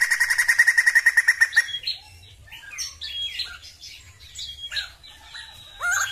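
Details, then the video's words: Sumatran laughingthrush in song, opening with a fast, evenly pulsed series of about fifteen clear notes, then a quieter jumble of short rising and falling whistles and chirps, with a loud note at the very end. "PERFORMA BAGUS DALAM BERKICAU BURUNG POKSAY JAMBUL SUMATERA"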